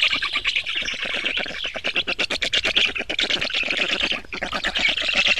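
Black stork giving a harsh, rasping, rapidly pulsed rattle of about eight to ten beats a second, running steadily throughout with no other clear sounds.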